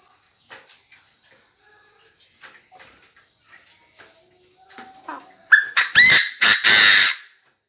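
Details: Decoy Chinese francolin calling the flock, crowing very intensely: after a quiet stretch of faint clicks and a steady high whine, a loud burst of harsh, ringing notes arrives in quick succession near the end, then cuts off.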